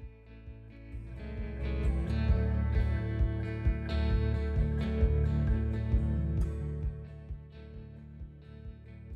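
Strummed acoustic guitar music plays throughout, with no animal sound.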